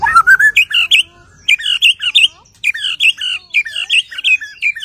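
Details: White-rumped shama singing after its moult: loud rapid phrases of bright whistled and chattering notes in short bursts separated by brief pauses, clean and close.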